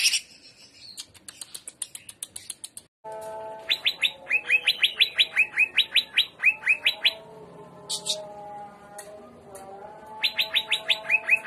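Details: Greater green leafbird singing in trotolan, jamtrok, 'gaya udang' style: bursts of rapid high sharp downslurred notes, strung in quick runs of about a dozen, with pauses between bursts; a faint low hum lies beneath.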